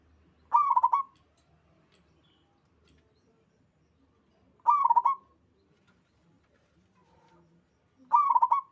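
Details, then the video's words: Zebra dove, a local wild bird, gives three quick trilled cooing phrases spaced roughly four seconds apart, each a tight run of staccato mid-pitched notes. Other doves are said to reply. "Suara burung perkutut lokal alam gacor sekali putar lainnya ikut nyahut"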